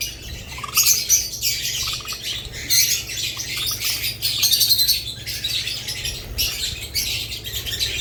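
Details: Budgerigars sharing space with lovebirds keep up steady, high, rasping chatter and chirps, rising and falling in loudness in waves, with a few lower notes and a soft low hum.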